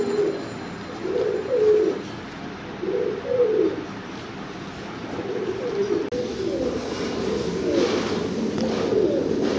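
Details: Fancy pigeons, domestic breeds of the rock dove, give distinct low rolling coos in short repeated phrases about every second, followed by a denser overlapping flock murmur.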